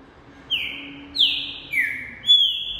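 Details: A green-winged saltator of the pampo type, a tournament bird eager to sing, gives four loud, clear whistled notes, each held and gently falling, one roughly every half second, over a faint low hum.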